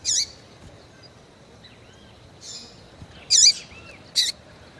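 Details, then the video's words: Female Double-collared Seedeater calling to stir up males: short, sharp high chips with a downward hooked tail, three separated bursts plus a faint softer note, against a steady hiss of background noise. "FÊMEA DE COLEIRO CHAMANDO MUITO QUENTE FOGOSA E PIANDO"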